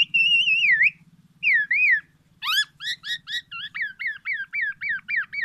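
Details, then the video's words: Black-naped oriole delivering oriental magpie-robin mimicry meant to challenge rival orioles: clear wavering whistles sliding up and down, then rasping bursts and a rapid series of repeated hooked whistled notes, with a low hum beneath. "MASTERAN KEPODANG EMAS,black naped oriole , FULL ISIAN MURAI BATU"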